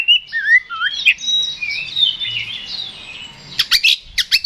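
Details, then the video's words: Oriental magpie-robin (kacer) song for provoking a rival: looping whistled notes, then a dense high warbled chatter, ending with sharp clicking ticks. "KACER GACOR NGEPLONG TARUNG !! PANCINGAN KACER PALING AMPUH BUAT MENAIKAN EMOSI KACER AUTO RESPON"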